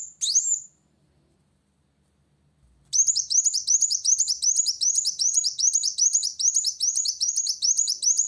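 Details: Van Hasselt's sunbird singing to challenge a rival: one shrill rising note, a two-second pause, then a long unbroken run of rapid, high, sharply upswept chips repeated several times a second.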